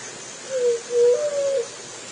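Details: Juriti dove giving its mellow three-part coo, a short dropping note, a flat middle note, and a sustained, slightly higher last note, in quiet surroundings.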